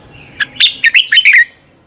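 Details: Red-whiskered bulbul morning fighting song used as a lure: one tight phrase of about five loud, bubbling, downslurred notes over barely a second, with faint background noise.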